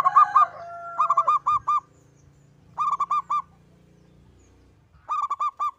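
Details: Lone local zebra dove singing steadily, kept as a lure for other birds: a brief two-toned call at the start, then three bursts of four to five quick, rounded coos, with a low hum beneath.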